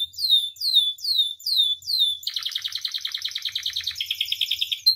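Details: Caged canary singing a song used to train and provoke others: five loud downslurred whistled notes, then a long, fast, rattling trill with bright high overtones that shifts pitch near the end.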